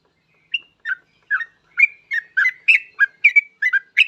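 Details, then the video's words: Yellow-vented bulbul in spirited song, recorded as a lure to set other bulbuls singing; starts with a lone whistled note, then speeds into a steady bubbling series of warbled chirps. "Trucuk gacor ini paling cocok buat pancingan trucuk lain agar cepat bunyi"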